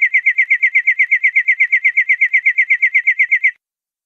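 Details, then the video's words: European greenfinch gives a fast, even trill of about eight clear, mid-pitched notes a second for three and a half seconds, then stops abruptly; background silent. "verderón larguero"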